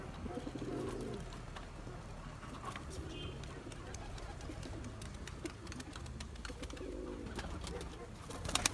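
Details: Turkish tumbler pigeon chasing its mate for eggs and young gives two separate gurgling coos, one early and one near the end, with soft clicks and a quiet gap between them.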